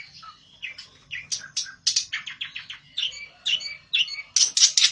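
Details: Excited olive-backed tailorbird seeking a rival, delivering quick strings of high, sharp chirps and buzzy notes, roughly two or three per second, ending in a louder, faster run.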